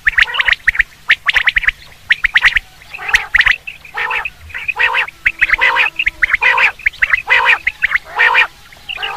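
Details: Loud common quail calls for hunting: a near-continuous series of harsh, gargling bursts interleaved with sharp ticking notes, about once a second.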